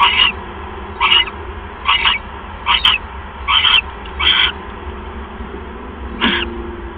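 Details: Mouse delivery at an owl nest, 6:33 PM on 1 January 2015. Six short, rough screeches follow each other about every 0.8 seconds, then after a pause of nearly two seconds comes one last burst, all over a faint steady hum.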